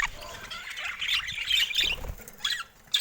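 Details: A caged budgerigar beside a camera it has been attacking gives a short run of squeaky warbled notes ending in a rising-falling chirp.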